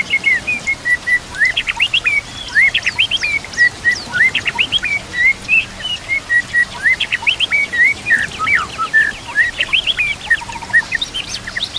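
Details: White-rumped shama training song: repeated flat whistles alternate with fast upswept notes and high thin chips, in a steady rhythmic stream of phrases over a light background hiss.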